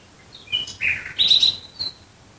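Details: A short, varied nightingale phrase at night near Dresden: a few scattered high chirps, a burred lower note, then a brighter warbling note and a fading high whistle, over quiet background.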